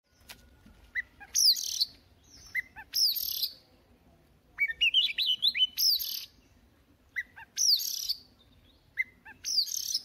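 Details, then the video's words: Oriental magpie-robin, a newly caught bird, singing to warm up its voice in the morning: short bursts of sharp, high whistled notes mixed with harsh rasping chips, each phrase a second or less, repeated about every one and a half seconds over a quiet background. "Choè than bổi lên hót luyện giọng lên lửa mỗi sáng"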